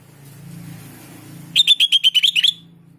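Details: Sooty-headed bulbul lure recording meant to make other bulbuls reply: about nine rapid, sharp chirps in an even run lasting one second, after a low hum in the background.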